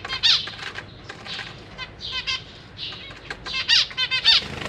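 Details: Parent zebra finches feeding babies in a cage with juveniles present; irregular nasal beeps and breathy begging bursts, quickening into a loud run of calls near the end.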